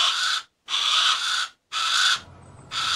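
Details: Harris's hawk uttering three long, grating, hoarse screeches in close succession, with a brief high thin note in the short gap.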